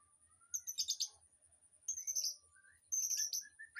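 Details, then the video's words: Mixed birds in an aviary, used as tutor song for a white-rumped shama: three short bursts of very high, buzzy twittering separated by pauses, with thin whistles between them and a faint low hum underneath. "Suara Burung Di AVIARY//Untuk Masteran Murai Batu"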